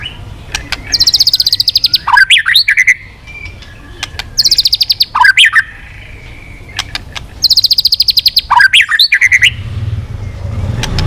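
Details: White-rumped shama, back to singing after a quiet spell, repeating a phrase three times: a rapid buzzy trill of clipped notes followed by sharp upslurred whistles, separated by short pauses, with soft low rumble between phrases.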